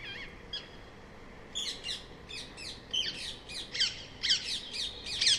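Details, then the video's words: Rose-ringed parakeet calling: harsh, high screeching squawks given in quick bursts, sparse at first then dense and rapid, growing louder toward the end, over a steady background hiss. "Call of Rose ringed parakeet"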